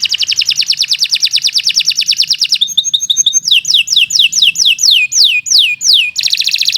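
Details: Long, unbroken canary song meant as tutor material for other birds: an even, rapid roll, a short pause, a series of clear descending whistled notes, then another dense trill.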